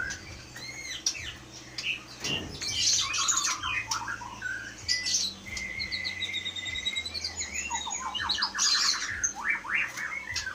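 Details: Caged white-rumped shama of the Aceh Leuser type, caught wild as a forest fledgling in 2016, noted for imitating surrounding sounds. Rich varied song of whistled slurs, rapid rising notes and chattering bursts, with steady low background hum.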